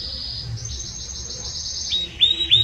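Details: Belgian canary with a strong, warm song: a soft high rolling trill held for about two seconds, ending in a few louder, clear whistled notes.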